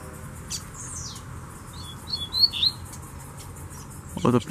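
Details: Double-collared seedeaters give a high, thin, falling whistle, then a quick run of sharp chirps. A free-flying wild female lowers her display while a male calls to fight and several birds challenge each other. A man's voice is heard at the end.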